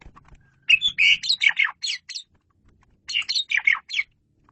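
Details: Asian pied starling in a master-training recording, singing two bursts of chattering phrases that mix harsh buzzy notes with whistled slurs, each burst about a second long with a gap of roughly a second between.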